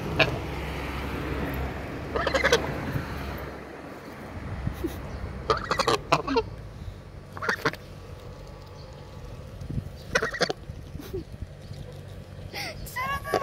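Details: Two playful geese pecking at the camera and trying to eat clothes give short, harsh honks at irregular intervals, heard amid close rustling and handling noise.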